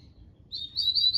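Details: Opening of a double-collared seedeater's Tui Tui song: a thin, high whistle that rises, followed by a few bright repeated chirps, over a faint low background hum.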